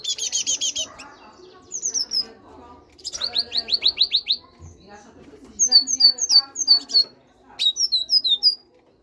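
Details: Caged great tit, bred in captivity, singing loudly in several bursts of rapid, high, slurred whistles, some buzzy, each phrase repeated four to eight times before a pause; faint indoor background.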